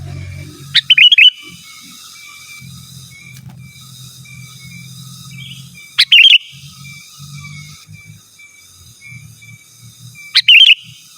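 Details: Wild-type sooty-headed bulbul song used to call rivals, recorded for luring wild birds and tutoring caged birds; short bubbly two-part phrases with sharp click onsets, about every five seconds, over a steady thin whine and faint low hum.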